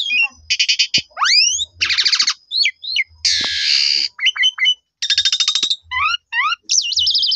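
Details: Black-collared starling lure song, meant to make other starlings respond: varied phrases with buzzy rattles, rising whistled sweeps, a harsh noisy screech in the middle and quick paired upslurs near the end.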